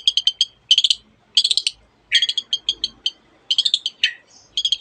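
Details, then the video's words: Long-tailed shrike singing with mimicry of a canary and many other birds: repeated bursts of rapid, high, stuttering trilled notes, each burst four or five pulses long, separated by brief pauses. "cendet gacor nembak nembak rapat isian kenari dan banyak jenis burung yang masuk masteran"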